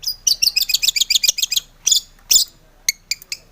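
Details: Long-tailed shrike in lively song, used to provoke other shrikes to sing; a rapid rattling run of high chattering notes, a few harsh bursts, then scattered sharp chips.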